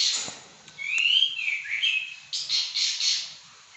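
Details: Caged pekin robin in vigorous song: clear slurred whistles rising and falling, then a fast run of buzzy chirped notes.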